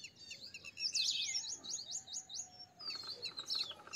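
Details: High, sharp twittering from a purple sunbird, with a quick run of repeated upward-sweeping notes and a final burst of thin chirps.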